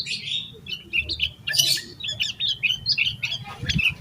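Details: Yellow-vented bulbul giving agitated, full-repertoire song to spur other bulbuls to sing: dense, lively bubbling chatter of quick rising and falling notes, with soft low noise underneath.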